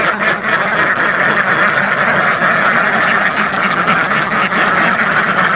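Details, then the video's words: Massed quacking from a flock of thousands of ducks, a thick continuous babble with a few louder individual quacks standing out near the start. "SUARA BEBEK WEK WEK ASLI KETAWA , DUCK SOUND EFFECT , SUARA BEBEK ASLI SUARA RIBUAN BEBEK"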